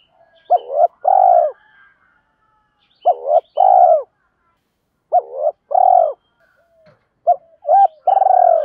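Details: Spotted dove decoy giving challenging calls to attract wild birds. Four or five two-part coo phrases come in steady succession, each a brief rising note and a long burred coo. Quiet chirps are heard in the background.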